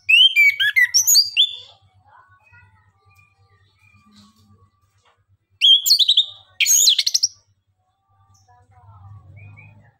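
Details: Orange-headed thrush, locally anis kembang or punglor kembang, a songbird of Southeast Asian forests, singing in the energetic nembak and ngeriwik styles to lure reluctant birds into song: loud bursts of sharp high whistled and trilled notes, then near-silence before two more rapid bursts.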